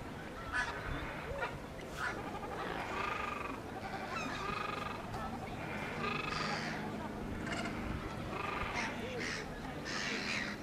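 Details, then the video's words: Blue-winged goose at Slimbridge giving a series of short, nasal, harmonic calls roughly every second or two, with people talking nearby and a busy background of other waterfowl. "Blue-winged Goose"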